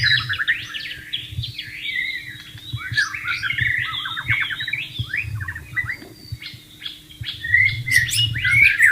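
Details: White-rumped shama in the wild by running water: an energetic, rapidly repeated medley of slurred whistles, rattling trills and sharp high notes, with gentle water sounds underneath.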